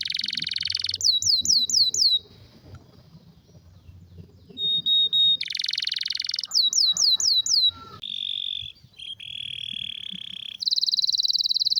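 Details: Canary song offered as a tutor for other canaries: high, buzzy rolled trills alternating with quick falling whistle runs, a thin steady whistle, and long rattling tours, with pauses filled by low background rumble.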